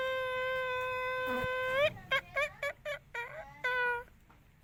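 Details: Talking green parrot from India utters a long steady nasal harmonic note that bends upward, then a rapid series of short clipped nasal syllables, and ends with one more drawn-out tone.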